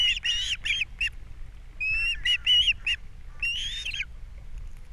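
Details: At a Captiva nest cam on April 3, 2022, wild ospreys call while the male arrives with fish for breakfast and the female feeds the young: loud, piercing whistled notes in short groups, some drawn out and slurred.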